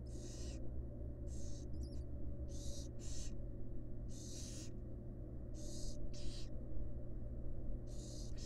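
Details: Nest-box recording of a wild female barn owl tending and feeding her fledglings; harsh hissing snores repeat roughly every second, some in close pairs, with a faint chirp early and steady low hum throughout.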